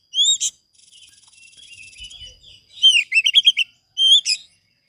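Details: Singing Oriental magpie-robin, recorded as a lure and master for other birds. Sharp whistled notes open, then a soft buzzy chatter and a loud, rapid burst of bright, slurred whistles, ending with a single ringing note.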